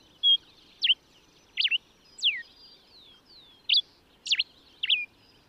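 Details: Common diuca finch from Chile singing: a loose sequence of sharp, clear whistled notes, some downslurred and some with a quick zigzag twist, spaced irregularly about a second apart against a quiet background.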